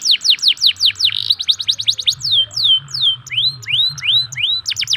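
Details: Local canary lure song for canaries that sing little. Quick falling sweeps give way to a buzzy note, then a fast trill, slower descending whistles, three upswept whistles and another burst of sweeps.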